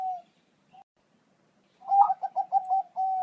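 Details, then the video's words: Zebra dove of the Bangkok type singing, played to prompt caged doves to reply. A short coo and a lone note, a pause, then a quick stuttering series of low coos ending in a steady held tone. "Suara Perkutut Bangkok Di Jamin Bikin Nyaut Burung Perkutut Milik Anda"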